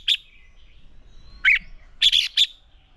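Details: Fighting song of a red-whiskered bulbul decoy for training birds: isolated bright chirps, then a fast cluster of three or four whistled notes near the end, with quiet surroundings.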